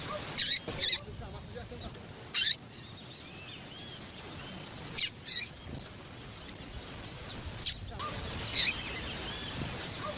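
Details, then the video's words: Double-collared seedeater female calling to stimulate the male: short, shrill, high-pitched chirps, several in close pairs, at irregular intervals, with soft chittering of other birds behind. "Fêmea de Papa capim piadeira para Esquentar Papa capim"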